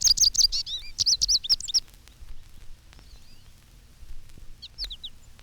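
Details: In spring, American goldfinches from a flock feeding on dandelion seeds on a lawn, some on telephone wires, give a quick, high, canary-like twittering medley for nearly two seconds, followed later by a few fainter, thin calls.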